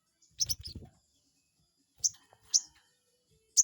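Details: Crested jay lure call meant to anger a rival bird: a brief burst of high notes over a low rumble, then three separate sharp, high, clipped notes spaced about half a second to a second apart.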